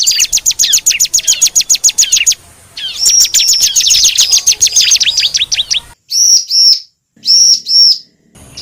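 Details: Bar-winged prinia call used as a lure to attract birds: rapid runs of sharp high ticking notes, a brief pause, more ticking, then a few separate loud ringing whistled chirps.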